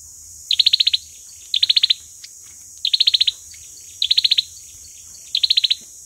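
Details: Olive-backed sunbird giving its fighting song, used as a lure: short high rapid trills of about seven sharp notes, repeated every second or so, over a steady high hiss and low hum.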